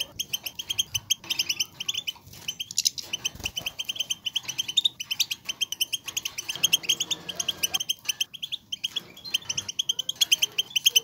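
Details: Group of European goldfinches singing together, used to stimulate females to mate and males to sing; dense overlapping high twittering and tinkling chirps, rapid and continuous, with faint background noise.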